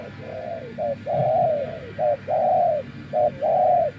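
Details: Decoy spotted dove, tamed after several days living in nature, uttering soft low coos in a short-long rhythm, about six notes over a few seconds, with faint hiss behind.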